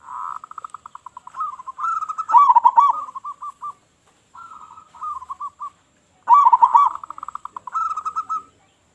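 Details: Big-voiced local zebra dove in full song, used as a lure for other zebra doves: fast ticking coos leading into loud rolling warbles, repeated in two main bouts separated by quieter pulsed phrases.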